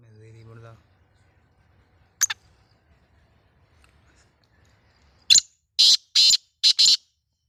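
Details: Pet black francolin (kala tetar), described as a Sindhi-strain bird: after a brief human voice and a click, a loud, harsh, grating call of five rapid broadband notes in a clipped burst fills the last two seconds.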